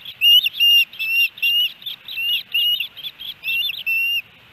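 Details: Osprey calling at the Hellgate Canyon nest, Missoula, Montana, July 13, 2018, during a three-fish day; longer drawn-out whistles, some rising and falling, repeated roughly twice a second.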